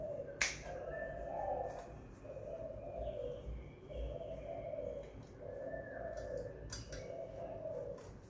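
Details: Spotted dove at home, calling a series of low hollow coos, about one phrase every one to two seconds, with a sharp tap at the start.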